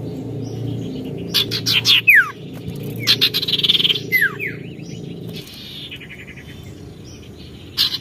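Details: Oriental magpie-robin in lively, challenging song: bursts of sharp chirps and steep down-slurred whistles, a short buzzy trill, then quieter scattered notes over low hum.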